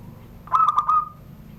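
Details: Privately kept zebra dove from Serang, Banten, sounding its rare classic surung gdor song below a door: one phrase of rapid, rhythmic, ringing coos trailing off into a short held note.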